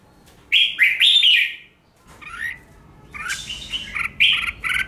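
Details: Red-whiskered bulbul singing competitively, recorded to train caged birds into fiery contest singing: a pair of loud, liquid warbled phrases early on, a quiet gap with a softer note, then a busy run of bright whistled bursts.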